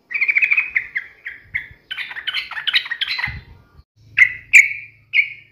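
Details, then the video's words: Energetic yellow-vented bulbul mocking a rival: a rapid chattering run, a jumbled bubbling phrase, then several separate slurred whistles, with some low rumbling noise. "trucukan gacor MELEDEK LAWAN ini sangat ahli membuat agar trucuk gacor NYAUT EMOSI"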